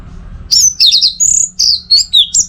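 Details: Caged orange-headed thrush from North Bali, Singaraja, used as a tutor and lure recording for its teler song: bright whistled phrases high in pitch, some slurred downward, others in quick stuttered triplets, with a faint low hum behind.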